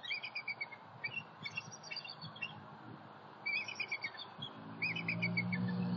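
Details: Southwest Florida bald eagle nest, morning of 28 October 2019, with a visiting three-year-old sub-adult. Rapid bursts of high, piping chitters repeat in groups, and low rumbling noise builds toward the end.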